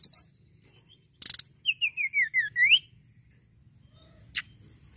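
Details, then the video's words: Hill prinia singing to stimulate young cage birds: a sharp high burst, then a rolling series of clear slurred whistles sliding downward before rising again at the end, followed by a single thin squeak. "tledekan gunung gacor penghipnotis burung bahan"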